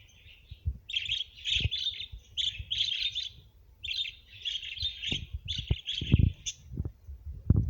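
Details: Australian budgerigars of several breeds kept together chatter in rapid, scratchy warbled bursts, with low thumps and knocks underneath.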